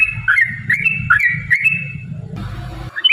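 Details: Yellow-vented bulbul, 'gacor' style, played as a lure to make other bulbuls sing and fight: quick chortling notes dipping and rising in a rapid run, over low droning noise, ending in a brief burst of hiss.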